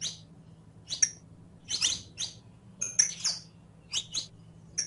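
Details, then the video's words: Saffron finch (canario criollo) singing for a tutor recording aimed at teaching a caged bird: loose clusters of sharp, high chirps and short buzzy notes, irregularly spaced, over a low droning hum. "ENSEÑA A CANTAR A TU CANARIO CRIOLLO"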